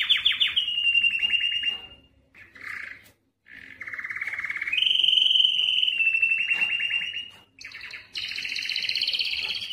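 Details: Belgian canary male in breeding song meant to excite females: long sustained rolling tours, one descending from a higher note, separated by short pauses, then a fast high trill closing the phrase.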